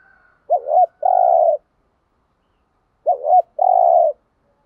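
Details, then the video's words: Spotted dove serving as a lure to excite rival doves, cooing gáy gọi style: two paired phrases, each a brief wavering note followed by a fuller sustained coo, spaced roughly two and a half seconds apart. "thuc gu tho pha cu moi tho pha gu thuc gay goi"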